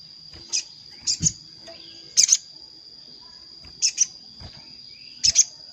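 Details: Sogon lure call for attracting wild birds down to a trap, a bird answering a rival: short high chirp bursts, single or doubled, about every second, over a steady high whine.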